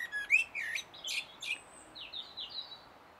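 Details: A common blackbird warbles on 1 June 2016, captured by a Sony HDR-PJ10E camcorder, starting with loud swooping fluty notes, then several quick high chirps and a descending series of thin squeaky notes.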